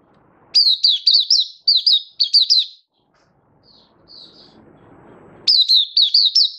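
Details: Happy 'buka' song of a kept oriental white-eye (Mata Puteh), 24 February 2023: two bursts of high, rapid chirps, a gap with faint soft notes and hiss, then a final chirping burst.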